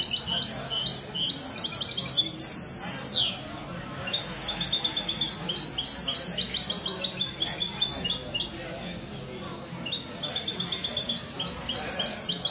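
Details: Sunday morning, 16 February 2020, in a Ksar el-Kebir café: a European goldfinch ('misto') from a goldfinch association sings long varied phrases of liquid twitters and rolling trills broken by brief pauses, over a soft hubbub of people.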